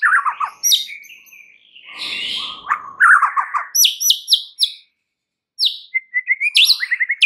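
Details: White-rumped shama singing as a provoking lure: mixed lower warbles and a harsh scratchy passage, then sharp high note strings and short rising whistles after a brief silence.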